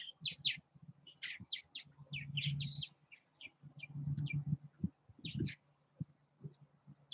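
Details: Purple martins active at nest houses in Southwest Missouri, giving many short, high chirps and gurgling notes in quick irregular bursts over a steady low hum.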